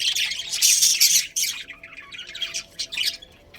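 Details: Budgerigars in a breeding colony, a pair among them, give dense high chattering chirps and squawks, loudest in the first second and a half, then scattered shorter chirps fading toward the end.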